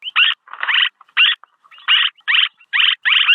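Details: Recorded as a lure, a swallow gives rapid, harsh, buzzy chirps, some run together into longer rasping bursts, at about two per second.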